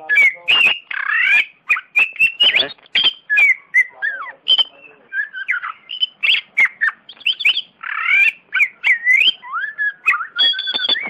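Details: A champion Oriental magpie-robin delivers a long, varied song of sharp chips, harsh squawky notes, rising and falling slurred whistles and buzzy trills in quick succession, loud and continuous with very short gaps.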